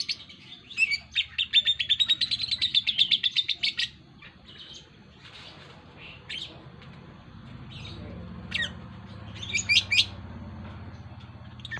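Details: A lovebird rattles off a quick run of high, pulsed ngekek chirps for about three seconds, followed by scattered short squeaks and sharp calls over a quiet hum.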